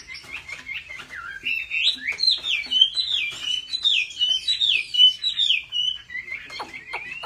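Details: Chinese hwamei trained at home for singing contests, with a pure wild voice: a lively, varied song of rapid slurred whistles and twisting phrases, with scattered soft clicks between notes.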